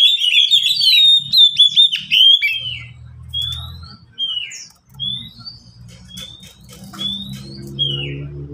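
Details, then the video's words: Oriental magpie-robin in a cage among three kept birds answering each other. It opens with a rich warbled whistle phrase, then gives scattered single rising whistles about once a second over a low background rumble. "Kicau mania sederhana cocok untuk masteran burung Kacer yang malas bunyi"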